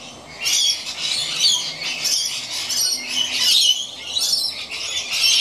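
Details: Two rainbow lorikeets at play on an old rope high up in a gum tree: continuous shrill, grating screeches and chattering squawks, rising and falling in loudness over a few seconds.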